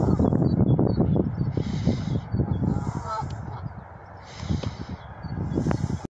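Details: Canada geese with a brief burst of nasal honks near the middle, set against heavy low rumble and wind-like noise.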